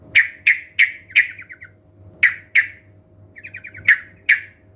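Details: Sooty-headed bulbul, used to encourage other birds to sing, gives sharp downslurred chip notes at irregular intervals, with short quick trills of small notes between them over a steady low hum.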